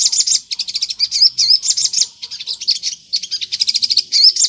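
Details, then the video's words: Crimson sunbird singing vigorously as a lure so other sunbirds reply; bursts of fast, shrill twitters about three to four per second, broken by short pauses, with occasional sweeping whistled notes. "PANCINGAN SOGON GACOR NGLEPER || di jamin burung sogon nyaut"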